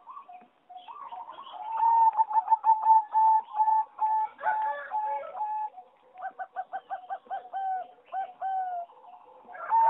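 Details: Singing zebra doves bred for competition, kept in an aviary, recorded 26 April 2014: bright staccato cooing notes in rapid runs, bursts of quick repeated pulses, and drawn-out level coos, with several birds overlapping.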